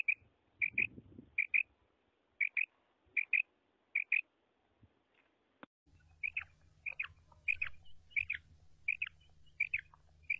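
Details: Female quail (madi batair), one of five different calls: short high chirped double notes repeated about every half second in steady series, with a low hum running through the second half.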